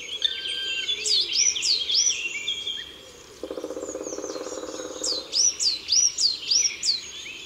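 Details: Black woodpecker in the Drôme, France, gives a fast, even drum roll of nearly two seconds, among bright, high, down-slurred chirps from small birds repeated several times a second.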